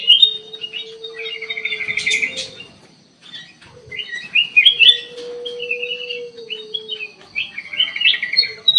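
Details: Black-crested bulbul in an aviary singing lively, rapid warbled and trilled phrases with quick chirps, pausing briefly mid-way, over a steady low hum running through much of the recording.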